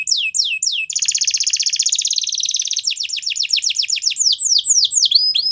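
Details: Belgian canary singing loudly: a few falling whistles, a long continuous rolling trill of nearly two seconds, then rapid repeated sweeping notes and looping downslurs.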